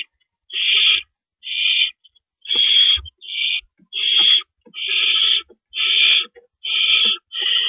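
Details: Owls at their nest in the early morning darkness of April 4, 2012, while adults deliver and remove rabbits. Nine rasping, hiss-like screeches of similar length repeat roughly once per second with brief gaps between them. Faint knocks and rustles sound underneath.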